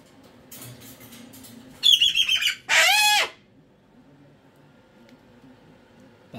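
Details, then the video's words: Indoor pet cockatoo mid-meltdown, its owner calling it a mood swing: quiet faint rustles, then two loud harsh screams in quick succession, the first choppy and pulsed, the second a sustained raspy blast lasting about half a second. "Cockatoo Meltdown To Whispering"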